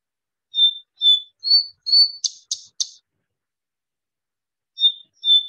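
Cloud Cisticola, slowed to half speed: a stepped phrase of clear whistled notes rising in pitch, ending in three rapid scratchy chirps, then beginning again.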